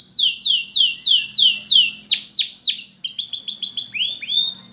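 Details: Spanish Timbrado canary song for training: a string of loud, regular descending whistled sweeps about four per second, followed by rapid doubled high notes and rising slurs, faint hum behind.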